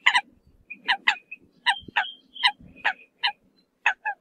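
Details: Flock call of the Eurasian coot: sharp harmonic notes, some with short whistled tones between them, repeated irregularly over a low rumbling background.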